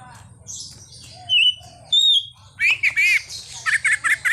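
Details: Greater green leafbird performing a full isian song of imitated sounds, a car horn among them; two separate clear whistles, then dense buzzy chirps and a fast series of repeated sharp twittering notes.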